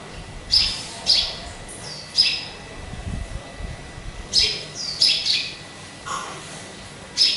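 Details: Caged sparrow kept as a pet, calling while hung up high away from people: short high chirps in loose bursts, about eight notes over seven seconds, with faint background hiss.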